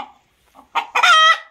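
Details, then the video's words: Rooster crowing: after a few soft low clucks, a loud, harsh, strongly harmonic crow note holds steady for under half a second, then breaks off. "صوت صياح الديك | Rooster Crowing"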